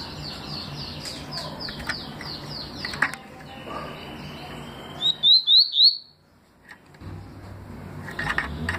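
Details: Papa-capim seedeater in 2020 giving its 'tui' song: after a noisy stretch of fainter overlapping chirps, four crisp rising whistled notes come in a quick even row, followed by near silence.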